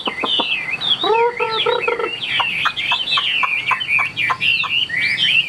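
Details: Caged Chinese hwamei from Vietnam singing in the "ngũ trường" style, a bird kept for fighting with spread tail and wing display: rapid, varied, loud whistled phrases sliding up and down, with a brief run of lower, harmonic notes near the start.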